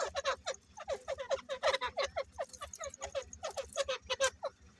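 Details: Grey francolins from a breeding pair deliver a long, busy run of harsh, quickly repeated falling notes, with a faint high-pitched ticking in the background.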